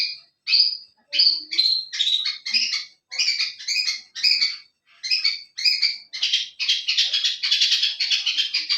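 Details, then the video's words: Masteran bird song used to draw answering calls from other birds: dense, bright chirping phrases repeated in quick bursts, becoming continuous and busier toward the end. "Burung masteran super heboh yang lain pasti nyaut"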